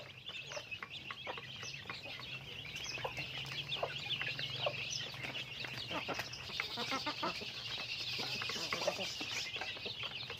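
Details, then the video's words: Chickens in daily activity make a constant, buzzing chorus of shrill peeps that slowly swells, dotted with quick clucks from several birds. "Natural Sounds of Chickens"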